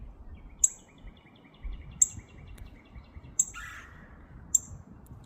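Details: A male northern cardinal, arriving at freshly put-out food with a woodpecker nearby, gives sharp, high metallic chips about every second and a half; faint softer twitters and one brief buzzy call sound behind it.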